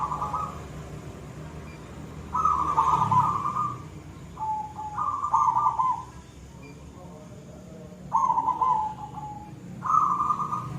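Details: Silver zebra dove in lively koong-style song. Rolling, trilled coos come in groups with gaps of a second or two, some preceded by a softer lower note. A constant low rumble runs underneath.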